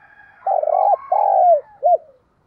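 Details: Decoy spotted dove cooing in the 'giọng thổ' style to get other doves calling: a rolling coo, a long smooth falling coo, then a short arched closing note, loud and close.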